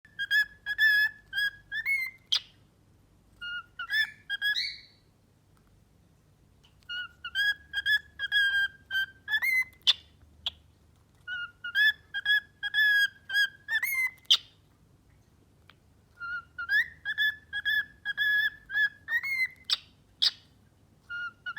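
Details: A young male pet cockatiel whistles the tune "If You're Happy and You Know It", the first song he learned, in clear, repeated melodic phrases.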